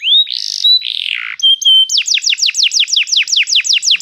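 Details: Singing canary, meant to train a young canary: a rising whistle and buzzy notes open, followed by short piping tones and then a steady train of fast, loud, falling whistled slurs.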